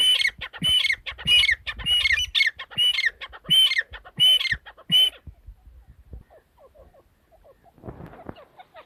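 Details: Female teetar partridge calling fast for five seconds: rhythmic, harsh squawks with whistled notes, followed by quiet and a brief rustle.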